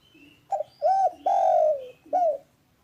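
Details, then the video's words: Calm, clear spotted dove phrase: a stuttered short note, a rounded coo, a long mellow hoot slowly sliding down, then a last arched coo. Soft thin whistles are heard faintly in the background. "MASTERAN DERKUKU malas bunyi biar cepat GACOR"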